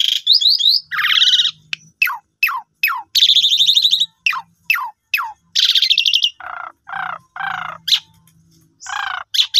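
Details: Asian pied starling in a loud, varied song of fast falling whistles, harsh buzzy chatters and lower rasping notes, tumbling along without pause, played as a lure to prompt silent captive starlings to sing.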